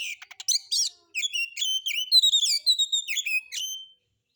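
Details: Kacer, or Oriental magpie-robin, in a relaxed lure of harsh-style song sung solo: quick rasping ticks, then a lively run of high whistles and sharply flicked chirps lasting about three seconds.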